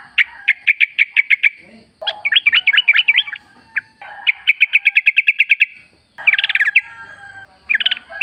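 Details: Wild sooty-headed bulbul, recorded in nature as a lure to prompt caged birds to sing, delivers rapid bursts of clear repeated chirps in runs of six to ten, separated by brief pauses, with some fuller warbled phrases.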